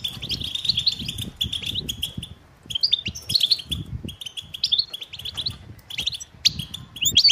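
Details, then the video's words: Mating and readiness calls of European goldfinch, meant to make males sing: bursts of twittering chirps separated by short gaps, with faint low background rumble. "حسونك صامت لا يغرد أسمعه هذه البتبتة"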